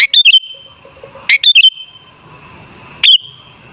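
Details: Sooty-headed bulbul song meant to provoke caged bulbuls into singing: bright chirpy whistled phrases in quick pairs, a pause, then one more loud phrase, with ringing echo after each.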